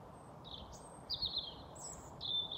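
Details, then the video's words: European robin singing its evening song at 21:25 on 28 April 2022 in Haga, Sweden, just before dark; thin, high, wavering phrases under a second each with short pauses, over a steady low rumble of distant noise. "Rödhake sjunger"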